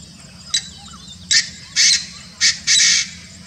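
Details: Painted francolin (Francolinus pictus) in Kanha National Park, Madhya Pradesh, India: loud harsh grating notes in a broken series, a short note then four longer rasping bursts within about three seconds, over a quiet background hum.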